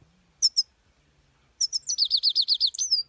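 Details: Goldfinch, known locally as saira, sings two sharp high chips, then a tinkling phrase and a rapid trill of falling notes ending in a drawn-out downward whistle.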